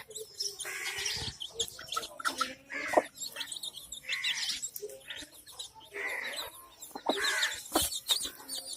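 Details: Hen with her young chicks; bright chick peeps repeat in clusters across the clip, broken by short low clucks and scattered clicks and knocks.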